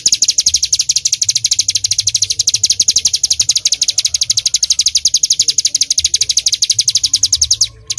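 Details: Continuous rapid-fire song of a bar-winged prinia in 'full tembakan' style, recorded to tutor songbirds: shrill, evenly spaced chips at roughly ten per second, stopping abruptly at the very end.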